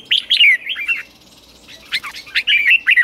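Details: Caged red-whiskered bulbul in morning song training, 'ché' style: a brisk warbled phrase of descending whistles, a short pause, then sharp chirps leading into another rolling whistled run.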